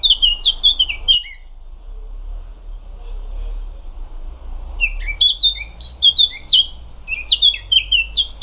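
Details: Eurasian Blackcap singing short bursts of bright, rapid whistled notes separated by a quiet gap with faint background rumble; phrases of slurred fluted notes repeat.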